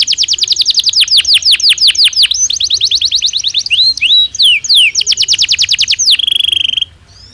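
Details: Natural song of a Belgian canary: long volleys of rapid falling notes, a few looping whistled slides, then more quick volleys closing with a sustained high tone.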